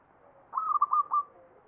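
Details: Zebra dove (perkutut) singing in the ngepat style of the Mataram pakem, Jogja: one mellow cooing phrase of about five quick, rolling notes at steady pitch, ending in a short trill, over a quiet background.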